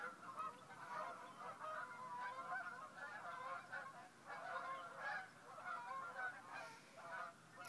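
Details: A flock of geese flying over a marsh wetland at sunrise on a Sunday morning, 11-4-2011. Dense overlapping nasal honks come in rolling waves throughout, loud and continuous, with a steady low background of open-air ambience.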